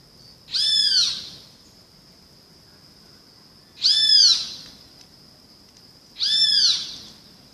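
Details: Great kiskadee repeating a loud, rasping, arched call three times, roughly every two and a half seconds, each note about half a second long, with a constant faint high-pitched whine between calls.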